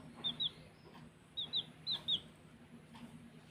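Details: Baby chicks at play give high, thin peeps that slide downward, each pair quick and close together, three pairs in a row with a low steady hum underneath.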